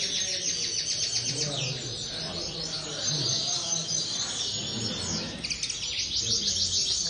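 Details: Common linnet singing in an aviary: dense, fast twittering of chirps and trills, high and bright, running without pause over a low, steady background murmur.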